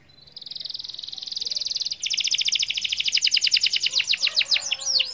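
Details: Canary singing a rolling song meant to spur other canaries into singing: a fast buzzy trill held high, then a rapid series of repeated sharp notes, ending in looping swept whistles.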